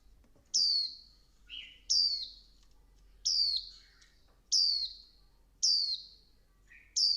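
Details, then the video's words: Repeated shrill, descending notes, about one every 1.2 seconds, from a female Swinhoe's white-eye exciting the male into fiery song, with short lower chips between some of them. "Tiếng chim vành khuyên mái kích trống líu căng lửa"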